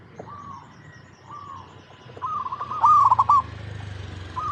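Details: Local zebra dove used as a lure for other zebra doves: soft, separate rising coos, then a louder burst of quick stuttering coo notes, against a low rumbling background.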